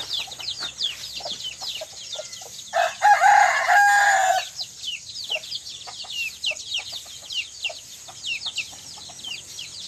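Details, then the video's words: Rooster crowing at sunrise with hens nearby: a single loud, harmonic crow lasting about a second and a half midway, surrounded by constant high, rapid chirping of small birds and a few short clucks. "Roaster & Hen Sound Effects During Sunrise"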